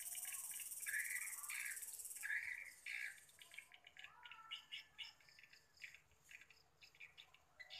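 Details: Swiftlets heard on the evening of 31 October 2021. Opening bright chirps over loud hiss give way to many short, scattered chirps of varying loudness.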